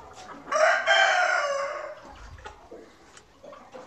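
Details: Chicken on a farm: one loud, harsh, drawn-out crow lasting about one and a half seconds, then quieter scattered clucks and soft farmyard noises.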